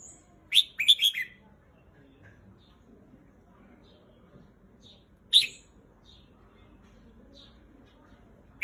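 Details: Red-whiskered bulbul song: a rapid phrase of four liquid chirping notes, then a lone sharp note several seconds later and another at the end, over a quiet, low hum.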